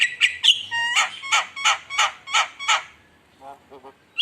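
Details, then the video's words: ['Javan myna lure song meant to provoke rival birds: a fast series of harsh, buzzy chattering notes at roughly three per second, with a few whistled tones early on, then quieter nasal notes and a final sharp squeak.'] "Pancingan Suara Mewah Jalak Kebo Gacor Bikin Panas Lawan"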